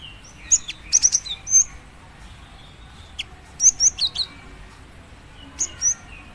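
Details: Cinereous tit female calling her male, giving clusters of high, piercing whistled notes and dry clicks, in three bursts near 0.5–1.6, 3.6–4.2 and 5.6–6 seconds, over a faint steady background hiss.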